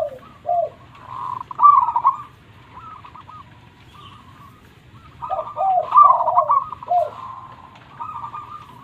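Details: Local zebra dove singing vigorously: two rolling phrases of quick staccato coos, each with several lower downward-bending notes. A softer stuttering coo sequence is heard between them.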